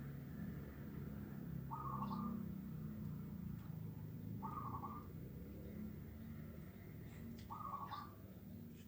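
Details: Zebra dove calling in the morning: three short, buzzy, trilled coos at moderate pitch, spaced roughly every three seconds, partly masked by a loud low rumble like distant traffic.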